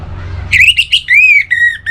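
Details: Orange-headed thrush (anis merah), a kept songbird, gives a loud, clear phrase of whistles. A short wavering note is followed by a long rising-and-falling whistle, then level notes, over low background hum.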